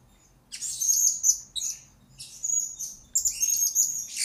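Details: Training recording of a blue-crowned hanging parrot for lure birds, with two dense bursts of piercing, high squeaky chattering and whistled notes broken by a brief pause.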